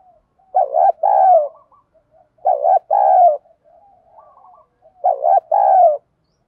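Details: Calling coo of a spotted dove in the 'giọng thổ pha đồng' style for training decoy birds: three evenly spaced low phrases, each a stuttered double note and a drawn-out coo, with faint soft notes in the gaps.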